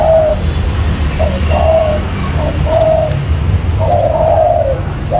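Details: Spotted dove cooing, played as a trapping lure: a few soft, drawn-out hollow coos with gaps between, the last one longer and wavering, over steady low background hum.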